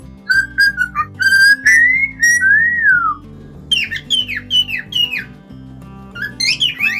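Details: Caged cockatiel singing: clear whistled phrases, some notes held and sliding, one long falling whistle near three seconds, then quick downward-swept chirps in bursts, over steady background music.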